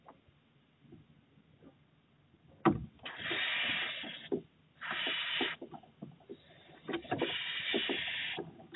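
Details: A little owl mother pushes her chick back into the nest box on 4 June 2023, with harsh, breathy hisses about a second each, three in quick succession, plus a sharp knock and scuffling inside the box.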